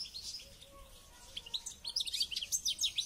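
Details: Goldfinch being trained ahead of a local championship, delivering quick high chirps that build into a dense twittering run, with a faint low whistle underneath.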